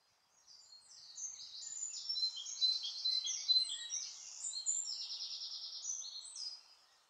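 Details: White wagtail at the Sterrebos, Sint-Michielsgestel, on 14 May 2015: soft, rapid, high twittering of chirps and trills running continuously for about six seconds, fairly distant, rising and fading at the ends.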